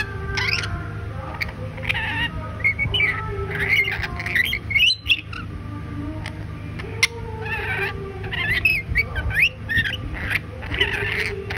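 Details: A pet male lorikeet in Kolkata, India, making his first attempt to talk, chatters in a run of harsh squawks, buzzy notes and short whistles over a steady low hum and faint music.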